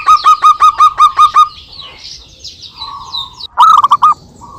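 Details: Zebra dove song from local birds calling back and forth, used for luring. It opens with seven evenly spaced, resonant coos, then a soft pause with faint background chirps, then a short rapid flurry of notes.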